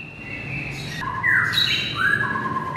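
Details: White-rumped shama song used as training audio to rouse a listless shama: long clear whistled notes, first high and level, then dropping to lower steady tones with a brief sliding note between.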